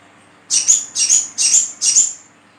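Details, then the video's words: Olive-backed sunbird, its sound used to lure wild birds: four sharp, very high buzzy chirps in quick succession, each about a third of a second long, over a faint low hum. "BURUNG SOGOK ONTONG SAYA, DI PANCING DENGAN SUARA INI"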